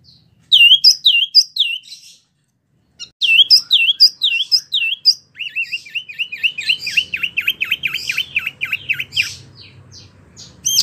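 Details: Energetic wambie mini song for tutoring competition birds: two runs of curling downslurred whistles split by a brief silence, then a rapid even string of repeated bright notes, about two per second, over a soft low hum.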